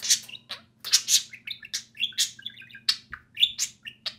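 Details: Loud, fast chattering from two pet budgerigars at play: bright chirps, clicks and warbling fragments tumbling over one another for several seconds.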